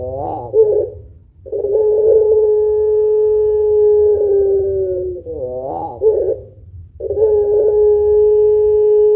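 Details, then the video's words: Long-cooing puter pelung spotted dove used as a lure for other birds. Burbling notes lead into a long steady coo, a trembling wavy phrase, and another sustained even coo. "Burung Puter Pelung Gacor Suara Panjang Kuwok Tebal Cocok Buat Pancingan"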